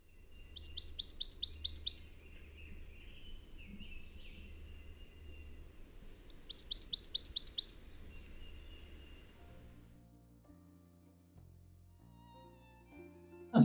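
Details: On the upper Texas coast, a Prothonotary Warbler, a bird of swampy areas with an explosive call, gives a ringing run of about eight quick, sharp, high notes, twice some five seconds apart, then a faint low hum.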